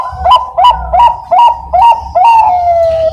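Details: Zebra dove (Bangkok perkutut) hatched 27 September 2022, with a powerful voice suited for breeding stock: a series of six clear, ringing coos about every third of a second, each bending upward, the last drawn out and slowly falling.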